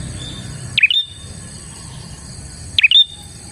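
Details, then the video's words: Energetic bar-winged prinia song, used as a lure for wild prinias: two bright, quick dipping-and-rising whistled phrases two seconds apart over quiet background hiss and a faint continuous high tone. "suara burung prenjak gacor ini 💯% ampuh untuk pikat prenjak dan pancingan prenjak bahan"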